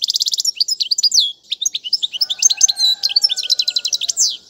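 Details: European goldfinch song used for teaching young birds, a rapid, continuous twittering of high tinkling notes, buzzy trills and quick rising and falling phrases, with a faint steady low tone in the background during the second half.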